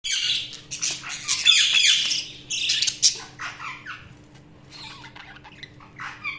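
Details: Budgerigars chirping in bursts of scratchy, warbling chatter and sharp squawks, loudest early then fading into scattered higher chirps, over a faint steady low hum.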